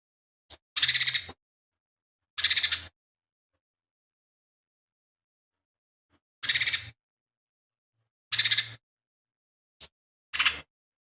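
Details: Lesser green leafbird giving short, harsh pulsed rattles roughly every two seconds, about six in all with longer quiet gaps, plus a couple of tiny clicks; its song carries imitated sparrow, kingfisher and cililin material, over a faint hum.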